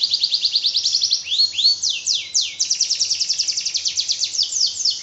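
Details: Canary pouring out a long, high song: quick even trills, two arched swooping whistles, steep downward slurs, then a rapid rattling series of short notes.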